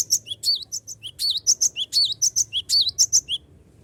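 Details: Cinereous tit delivering a continuous lure song to make rivals sing along: more than three seconds of rapid, evenly paced, high ringing whistles, each note a quick wavering chirp, with a faint low hum underneath.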